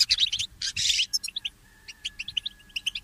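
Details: Goldfinch mule singing at early morning: a brief burst of buzzy twitter, then spaced, clear chirped notes repeated several times a second, over a faint steady hum.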